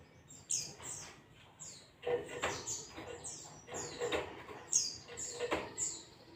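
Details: A white-eye sings ngalas-style masteran material, with high downward-sweeping whistles in bursts, some sharp clicks, and soft low notes underneath.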